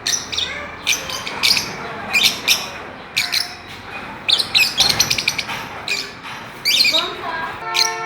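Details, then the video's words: Fischer's lovebirds playing on a swing, giving sharp high chirps in quick irregular bursts, some clustered into rapid chattering runs, with brief pauses between. "Parrots playing and chirping"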